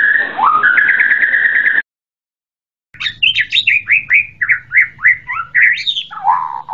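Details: White-rumped shama: a rising, rattling whistled trill, a brief pause, then a lively string of varied swooping whistles, with a low hum in the background.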